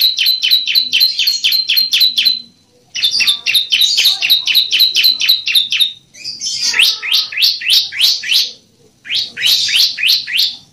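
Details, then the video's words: Bar-winged prinia singing, used as a training song for caged birds: rapid series of sharp, high, descending chip notes about four per second, in bursts separated by short pauses, some notes sweeping down more steeply later. "Masteran CIBLEK AMPUH"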